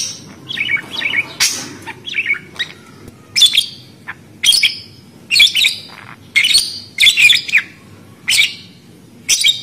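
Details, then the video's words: Budgerigar giving short bursts of sharp, scratchy chirps and squawks, each lasting about half a second and repeated roughly every second, with a faint low hum underneath. "Suara Burung Parkit Australi"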